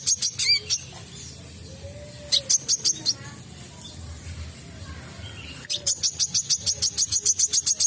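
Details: Olive-backed sunbird singing vigorously, recorded for luring birds: short bursts of quick, thin, high-pitched repeated notes, a pause of nearly three seconds, then a fast even series of piercing notes to the end.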